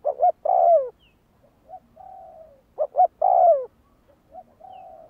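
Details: Decoy-trained spotted dove calling twice: each phrase is a pair of short notes and then a strong falling coo, followed by gentle, level trailing coos.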